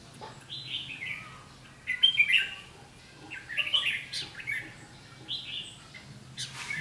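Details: Red-whiskered bulbul singing the 'ché' fighting song toward a decoy bird at a trap, 7 July 2016: scattered clusters of sharp, lively warbled notes with pauses between, a man talking faintly.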